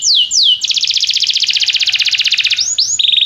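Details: Belgian canary training song meant to stimulate a canary to sing diligently: two quick high descending whistles, then a long rapid buzzy trill of repeated notes, ending in rising swoops and another fast trill.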